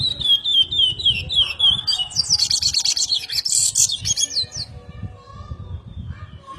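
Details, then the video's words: Brazilian chestnut-bellied seed finch singing its repetitive song: a fluid run of slurred whistles followed by a burst of buzzy high trills, then quieter scattered notes, with low background rumble. "Curió mega repetidor"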